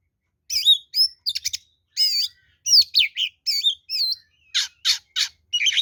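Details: Oriental magpie-robin singing a combative song meant to lure and provoke rivals, with bright sweeping whistles, looping slurred notes and harsh buzzy bursts delivered in quick succession with short gaps.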